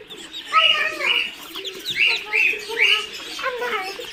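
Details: A group of Muscovy duckling chicks on a farm in Kamrup, Assam, peeping steadily with high, clear, slurred notes in rapid succession, overlapping one another, backed by faint lower murmuring.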